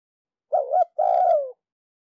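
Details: Spotted dove from Ninh Thuận used as a decoy to stimulate wild-caught birds to coo, in a 'thúc lơi' style delivery: a short throaty coo, a brief gap, then a longer coo that slides downward, with no other sounds.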